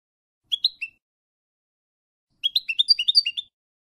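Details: Teaching recording of goldfinch song, F.O.C.S.E code, for young goldfinches: a brief three-note twitter, a pause, then a quick liquid run of about ten bouncing chirps.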